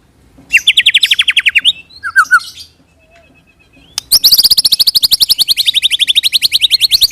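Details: White-rumped shama, a lure recording of rolling song (roll tembak) meant to make any shama answer with its own rolling song; fast trills of rapidly repeated high notes, a short pause, then a long, steady, bright trill.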